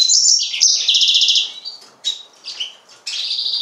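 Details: Yellow-fronted canary (Serinus mozambicus) singing a bright, high twittering song: a rapid buzzy trill first, then short separate chirped notes, ending in a sustained trilled phrase. No other sounds are heard.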